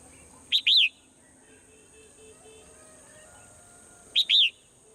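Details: Morning calls of a swallow: two matching bursts, each a short clipped note followed by a longer arched chirp, about three and a half seconds apart, with a constant high-pitched hiss behind.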